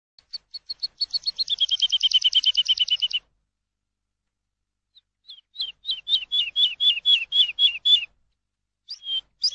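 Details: Lark trilling in the countryside: a fast run of high, clipped notes that drops slightly in pitch and runs about two seconds, then after a pause a second slower series of sharp, down-slurred chips, then a few more notes.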